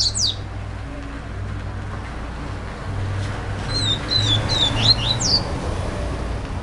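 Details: Young double-collared seedeater begging for food: two sharp high notes, then after a pause a quick run of short, thin descending whistles, against constant low rumbling traffic-like noise.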